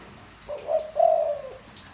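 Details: Spotted dove with a deep voice, used to rouse wild birds: a single soft coo phrase, a brief lead-in note followed by a longer, steady hooting coo.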